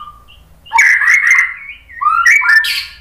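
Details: White-rumped shama song intended to make other shamas sing: a faint low whistle, then two loud phrases of gliding, rolling whistles with scratchy high overtones.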